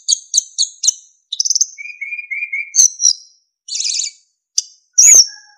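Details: Narcissus flycatcher, a kept songbird, singing a master-training song full of fills and clear whistles: sharp high chips, a low whistled series of three slurred notes, buzzy trilled bursts and a bright rising whistle.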